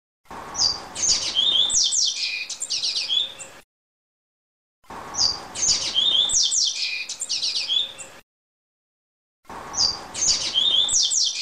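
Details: Double-collared seedeater singing the Greek song style: a fast, high, twittering phrase of sharp chirps and trills, given three times with silent pauses between.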